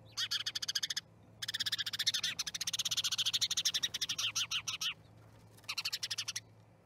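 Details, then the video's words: At an osprey nest in Charlo, Montana, on 10/07/2019, starlings produce loud, dry, machine-gun-like rattling in three bursts, the middle one running about three seconds, with a low electrical hum underneath. "Starling Party"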